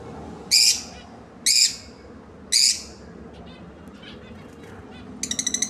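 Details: A pair of lovebirds calling: three loud, harsh, high-pitched shrieks about a second apart, followed by a quiet pause and a short burst of rapid chattering at the end.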